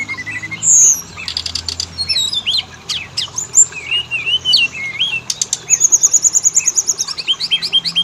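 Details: Oriental magpie-robin song as a lure to make males and females sing: warbled wavering whistles and buzzy notes, followed by a long fast series of repeated high ticks.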